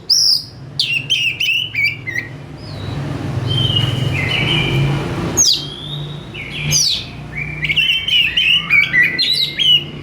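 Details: Oriental magpie-robin singing loudly and richly: varied whistles, sharp chips and quick sliding phrases, with a steady hiss of noise in the middle of the stretch and a low hum underneath.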